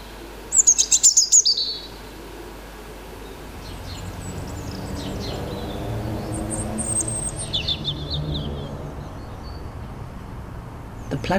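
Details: On an evening near a house, a European Robin sings loudly, opening with a burst of high, thin, twittering notes; a distant robin replies with fainter high warbled phrases, over soft music.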